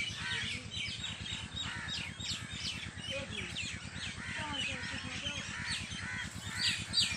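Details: Farm birds at evening, a thick chorus of chirps and twitters from many birds, over a steady low, rapidly pulsing mechanical throb like a running engine.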